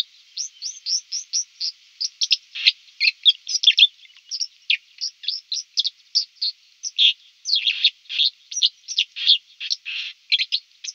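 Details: Sustained White-throated dipper song: a long, fast flow of high, sharp notes and grating buzzy bursts, repeated several times a second with little pause, loud and clear against silence.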